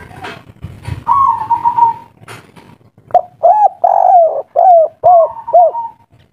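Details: Loud kuk-3 cooing of a local wild spotted dove, described as agitated and noisy: a drawn-out hum-like note with rustling first, then a quick series of six low, rounded coos.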